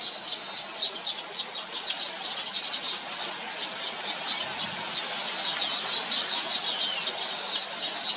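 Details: Baya weaver birds, recorded with a Nikon P1000 camera: a dense, continuous high chatter of rapid chirps and buzzy trills, with many birds calling at once and no other clear sounds.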